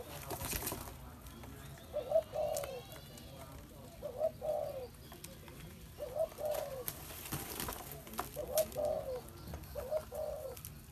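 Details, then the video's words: Spotted dove calling steadily, five low, mellow coo phrases about every two seconds, each a short note running into a longer rolling coo, with soft background noise. "Chim cu gáy"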